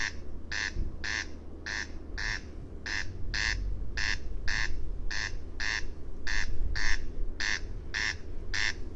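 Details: Corn crake (Crex crex) giving its dry, scraping 'crex-crex' call, some eight paired rasps across nine seconds at an even rhythm, while a loud low-pitched rumble runs throughout.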